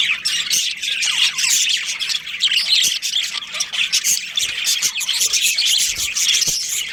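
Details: Budgies kept as a breeding colony, steady busy twittering and scratchy squawks from many birds, a constant high warbled chatter with brief dips in loudness.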